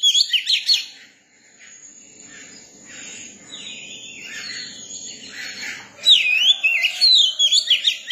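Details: Young Oriental magpie-robin singing, with bright whistled, warbling phrases that rise and fall at the start and again over the last two seconds, separated by a quieter stretch of soft, scratchy notes.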